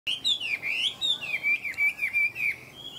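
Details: A caged Chinese hwamei hung outside at midday sings a fast, rich run of clear whistled phrases that rise and slur down, about three notes per second, with no other sounds.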